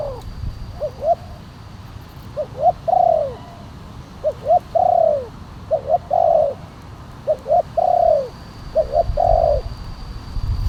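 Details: Spotted dove calling in the kuk 1 style with a big voice, used to lure wild doves down and to train caged birds. Paired short notes lead into a longer descending coo, repeated in regular phrases over low rumbling noise.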